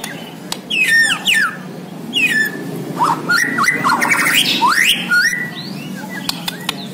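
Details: Bornean white-rumped shama in full 'gacor' song, a rich run of varied whistled phrases: sharp downslurred notes, rising sweeps and rapid trilled bursts up high, with short pauses between phrases and a low steady hum underneath.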